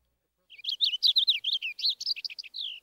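Purple Finch singing a quick, rich warble of about twenty high, clear notes tumbling up and down for two seconds, ending in a softer slur; nothing else heard.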